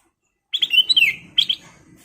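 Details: Sooty-headed bulbul (kutilang emas) in lively song: a rapid, bubbly run of whistled notes running into a falling slur, then a brief two-note follow-up, clear against a quiet background.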